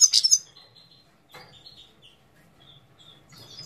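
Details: Himalayan goldfinch (Carduelis caniceps) singing at Parachinar, Pakistan, 2022: a bright, loud twittering burst, then thin, high, short whistled notes over faint low rumbling.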